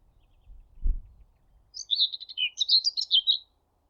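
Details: Common Whitethroat singing close at Thurrock Thameside Nature Park beside a railway; a low thump of handling noise, then a rapid scratchy warble of chattering, jumpy high notes lasting nearly two seconds.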